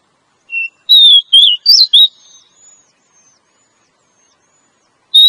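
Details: Female Oriental magpie-robin call used to attract males: a short thin note followed by four quick clear whistles of varying pitch, then near silence before one last whistled note.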